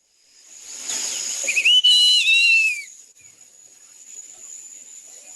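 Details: A West Indian whistling duck (Dendrocygna arborea) gives a brief run of shrill, wavering whistles that rise and then slide down, over a steady hiss and a thin high whine.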